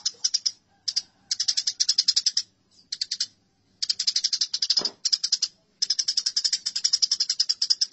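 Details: Aggressive house sparrow calls in many choppy bursts of fast, grating chirps with short pauses, one dull thump partway through.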